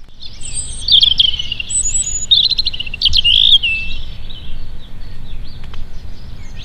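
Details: European robin sings thin, high, tumbling warbled phrases in short bursts behind the listeners during a 2017 bird count in Parc des Chaumes, Avallon, France, over a low outdoor rumble; European robin.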